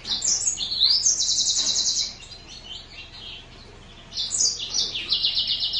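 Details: Green singer finch singing two lively high phrases of quick varied chirps and sweeping notes, each ending in a fast buzzy trill, with a brief quiet pause between them.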